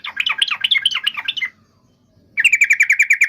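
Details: Yellow-vented bulbul giving a quick warbling chatter for over a second, then silence, then a steady series of sharp, evenly repeated chirps with ringing overtones.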